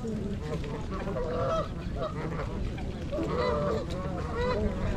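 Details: A loose chorus of trumpeter swans (Cygnus buccinator), part of 42 birds (26 adults, 16 juveniles), on January 8 in winter at Gallup Park, Ann Arbor, Michigan, gives low, nasal, horn-like honks, often doubled, over a steady low rumble.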